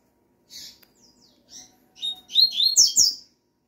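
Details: Singing Double-collared seedeater answering a female's call, opening with spaced high chirps and a faint thin whistle, then bursting into a quick jumble of loud, shrill, buzzy notes ending with two emphatic sharp ones.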